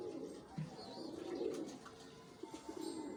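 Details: A pair of domestic pigeons giving low, soft, muffled cooing notes in a short series, with steady background hum and faint room noise.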